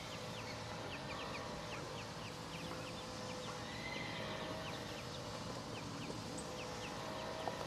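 Ducklings peep constantly, with many short, high, downslurred notes overlapping in a busy chorus over steady background noise.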